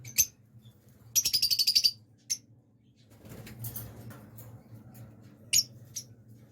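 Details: A blue lovebird breeding pair gives sharp, high shrill chirps: a single note, then a rapid burst of about eight shrieks, then scattered single calls, over a low hum.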